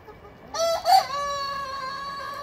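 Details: Rooster crowing where a young Ayam Cemani cockerel is taught to crow by a large Brahma rooster; one crow opens with a short rough note, then a loud harmonic-rich cry held level for about two seconds, over quiet background.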